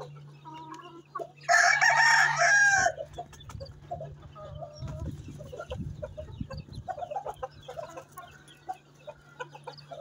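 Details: Asil Rampuri rooster on a farm in Chihuahua, Mexico, giving one short, loud, harsh crow of about one second, followed by softer clucking and scattered farmyard noises over a steady low electrical hum.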